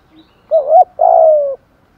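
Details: Spotted dove used as a decoy bird, calling to lure other doves: a faint short note, then a quick hooked coo and a longer, low, gently falling coo, all in under two seconds.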